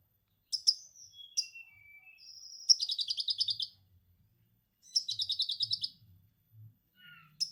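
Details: Orange-headed thrush lure and training song with lovebird "ngekek" material: chips and thin falling whistles lead into two rattling bursts of rapid buzzy notes about two seconds apart, ending on a sharp chip.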